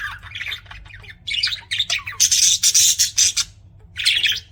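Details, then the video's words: Pet budgies chirping: harsh, scratchy squawks and chatter in rapid bursts, a dense run of loud rasping calls mid-way, then a quieter pause before another burst. "BUDGIES CHIRPING SOUND"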